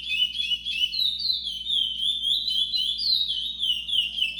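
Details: Sustained warbling from a brown chestnut-bellied seed finch, with rapid whistled slurs that climb and fall repeatedly at roughly three to four notes per second. The song is loud and clear, with no other sounds.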